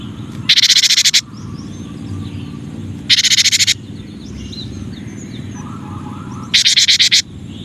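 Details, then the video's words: Cinereous tit, or gelatik batu, repeating three harsh buzzy rattles roughly every three seconds, each of rapid scratchy pulses, while faint chirps of other birds and steady background noise fill the gaps. "Suara Masteran Burung Gelatik Batu Atau Gelatik Wingko 9 Variasi"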